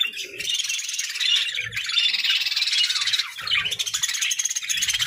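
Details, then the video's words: Playful budgerigars fill the air with a steady, bright chatter of twittering and squeaky notes, with a few soft low knocks in the background. "Playful Budgies: Happy Birds Sounds"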